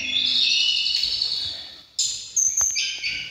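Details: Mountain tledekan dueling by song, stirred up on meeting rivals: a long sustained high whistled passage, a brief drop, then sharp renewed notes and a few clicks.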